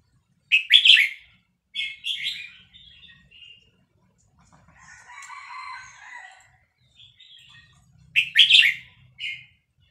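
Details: Vietnamese red-whiskered bulbul in a cage singing along to a recording of chicks; loud sharp chattering phrases open and close the passage, with softer, lower warbling in between.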